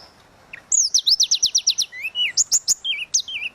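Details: Tledekan laut singing in the lively flute-like 'suling gacor' style, used as a tutor recording for other birds: high whistled notes, then a fast run of about nine sharp descending strokes, followed by warbled slurs and wavy whistles.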